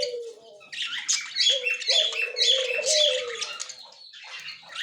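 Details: Two budgerigars, white male and yellow-green female, October 30, 2024: quiet opening, then loud bursts of sharp squeaks and buzzy chatter about twice a second, fading at the end, with a low hum underneath.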